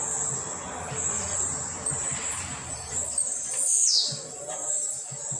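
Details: Home-trained Blue-black grassquit delivers a single quick buzzy note gliding down from very high pitch, amid a steady high-pitched hiss and faint low knocks.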